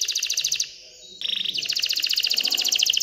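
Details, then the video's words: Canary in excited song to encourage females to mate and build a nest: a fast high trill, a short soft whistled pause, then a renewed dense rapid trill. "تغريد كناري هائج لتحفيز الاناث على التزاوح وبناء العش"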